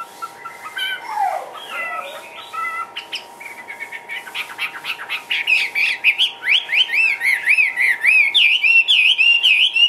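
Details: Hwamei kept caged in Vietnam, opening with quiet varied chatter and a downward slur, then a loud stream of quick zigzag whistles climbing and dipping in rapid repetition, hum in the background.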